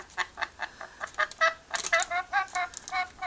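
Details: Playful chattering and laughing from a pet rainbow lorikeet: a steady string of short, nasal, harmonic notes repeated roughly every quarter second, rising into denser rasping bursts midway.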